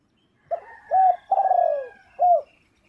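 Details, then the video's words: Spotted dove call: a clean phrase of low hooting coos, two short arched notes, a longer wavering coo sliding downward, then a final short coo, against a quiet background. "GELAGAT BURUNG TERKUKUR | SUARA YANG PADU"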